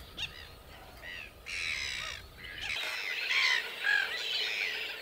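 Red-gartered coot giving harsh, nasal squawks in short bursts, several overlapping over five seconds, with a faint low rumble of wind or water beneath.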